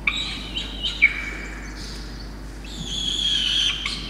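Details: Peregrine falcon youngster fed a drenched starling by drenched parents, Orange, NSW, Australia, 5 November 2021; a few sharp squeaks and clicks, then a sustained high wailing squeal toward the end.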